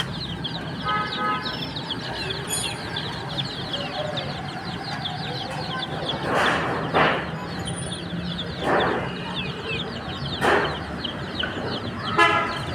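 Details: Many chicken chicks chirping outdoors: steady stream of thin, high peeps overlapping, with a few louder tonal calls early on and several broad rustling or clattering bursts recurring every couple of seconds over low background rumble.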